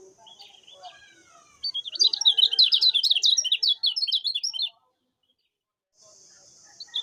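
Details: Common iora master song for training other cagebirds: a rapid, loud run of chattering, warbled notes between about 2 and 4 seconds, with a steady high electronic-like hiss throughout and quieter calls before.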